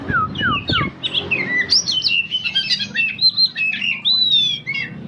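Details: Favourite pet kacer (Oriental magpie-robin), never entered in contests, sings in the morning beside its owner having coffee. A rapid, varied run of clear whistles, slurs and trills sweeps up and down in a continuous loud stream after a few opening notes.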